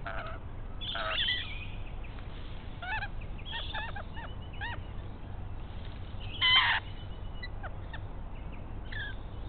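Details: A pair of rainbow lorikeets chatter while raiding a pied currawong nest that is still empty of eggs and chicks. Scratchy screeches and quick clipped chattering notes build to one loud, strident shriek near the end.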